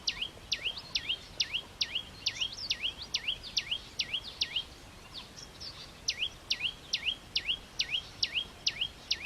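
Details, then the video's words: Red-headed flowerpecker delivering a long run of sharp down-then-up swept notes at a brisk, fairly steady pace, briefly broken midway before resuming, over light background noise. "suab noog tseev lab hau tiếng chim sâu đầu đỏ"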